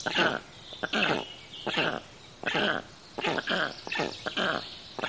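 Black storks giving harsh, breathy, rasping calls, each burst short and noisy, repeated roughly every second with uneven spacing.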